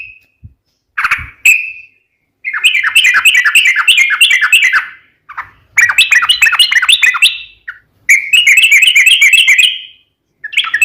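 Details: Vigorous sooty-headed bulbul singing a long rapid-trill song, meant to prompt other bulbuls into answering: several bursts of fast, bubbling, repeated warbled notes, broken by short whistles and pauses.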